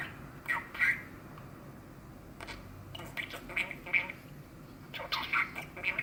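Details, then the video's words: Eleven-year-old male pet budgie chattering quietly to himself on a hot midsummer day, lit from behind by dazzling sunlight; soft speech-like warbles and brief squeaky chirps come in irregular clusters against a quiet indoor background. "Chappy the budgie is murmuring to himself"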